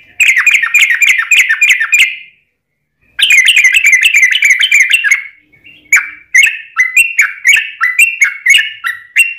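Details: Trucukan singing in a long rapid ropel style, used as a lure to make other birds sing: fast repeated chattering notes near the upper-middle range in bursts, a pause, then a second run and sharper rising notes.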